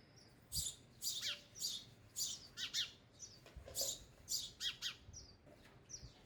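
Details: Feeding sparrows at a feeder make quick high chirps and squeaky notes, some doubled, coming about twice a second with small gaps and light knocks in the background.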